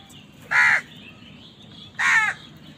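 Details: An angry crow, squabbling with other wild birds over food, calls twice: two harsh, raspy caws about one and a half seconds apart, each lasting roughly a quarter second.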